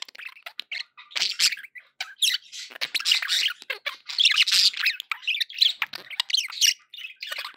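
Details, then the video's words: Happy pet budgerigars chattering: dense bursts of scratchy warbles, squeaks and sharp chirps, mostly high-pitched, with brief pauses between flurries. "happy budgie sounds"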